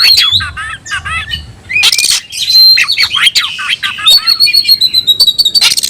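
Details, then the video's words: Caged oriental magpie-robin (kacer) singing in the tayoraky style: fast varied phrases of whistled slurs and buzzy bursts, with sharp rising notes and a long steady high whistle near the end. "kacer rasa tayoraky varian baru‼️bikin suara kicau burung Kacer gacor dan ngotot buka ekor"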